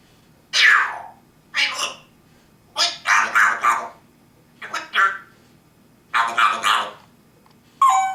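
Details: Parrot talking in a series of short, harsh, speech-like bursts with rich harmonics, each lasting about half a second, separated by brief pauses over eight seconds in a quiet room.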